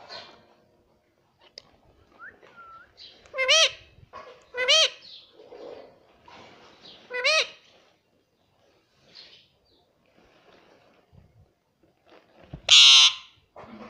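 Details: Talking pet Indian ringneck parrot indoors, repeating words learned from its owners: three evenly spaced, bright, wavering syllables, then quiet room sounds and one sudden harsh, loud squawk near the end.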